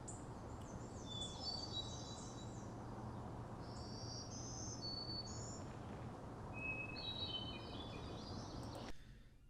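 Hermit thrush song: clear, fluted phrases, each opening on a held note and then spiralling higher. Another bird's calls overlap it over a low, steady background rumble.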